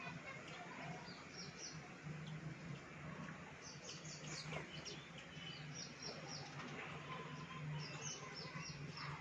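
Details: Baya weaver birds, monsoon visitors at a balcony, giving a steady run of short, high, down-slurred chirps repeated in quick bursts over a constant low hum and background noise.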